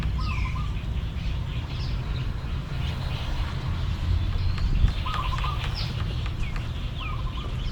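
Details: In December, the dry season, a male coppersmith barbet among Ayutthaya's temple ruins in central Thailand knocks in three short bursts of rapid, even pulses from shaded dry forest as it readies a nest. Other birds whistle downslurred notes over a low rumble.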